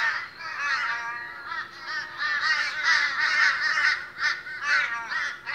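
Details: Morning gathering of very boisterous Australian crows: a flock of harsh, raspy caws overlapping in a continuous din, rising and falling in loudness with short gaps, a low steady hum in the background.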